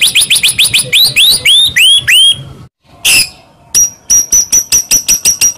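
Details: A white-rumped shama sings, as a lure to stir a quiet shama: rapid upslurred whistles with ringing harmonics, a sudden gap and a harsh burst, then fast sharp high notes repeated steadily.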